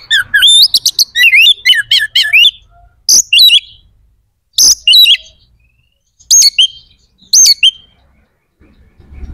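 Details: White-rumped shama delivering a rapid string of repeated looping whistled notes, then scattered sharp high phrases after pauses, a song said to provoke other shamas' aggression and breeding drive.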